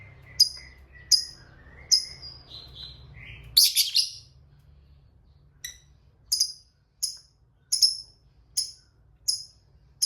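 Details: A fighter lovebird in a lure recording for silent lovebirds: sharp high downward chirps, thin falling squeaks and a harsh buzzy burst, then a steady series of crisp clipped chirps about every two-thirds of a second.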